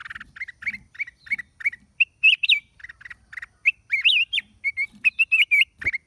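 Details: Black-crested bulbul (Rubigula flaviventris) at Chaiya on 29 December 2023 gives quick, bright chirping notes, several per second, rising into louder warbled phrases with sharp upslurred whistles over a faint low rumble.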